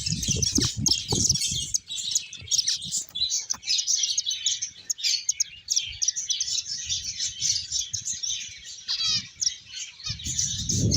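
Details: A crowd of finches playing and eating keeps up a constant high, twittering chatter of short overlapping chirps, with occasional soft low thumps and rustles.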